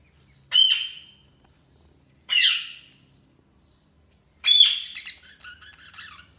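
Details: Budgerigar chirping: three separate harsh, buzzy chirps about two seconds apart, the last trailing into a short run of soft warbled notes; quiet background otherwise.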